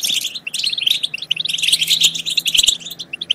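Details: European goldfinch singing in a track for stimulating goldfinch song and mating; rapid, high, jingling chirps run densely throughout, with a faint low hum underneath.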